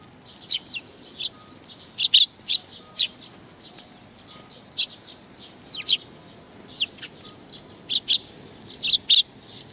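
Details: Sparrows coming to be fed, recorded 15 May 2019: a lively series of short, high chirps and tweets from several birds, sharp notes clustering in quick bursts with brief pauses between them, over a quiet background.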